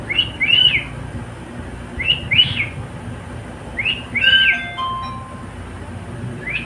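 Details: Pet cockatiel singing along with a companion: arched, whistled chirps in quick pairs, repeated about every two seconds, one followed by a few thin steady tones, against a low hum.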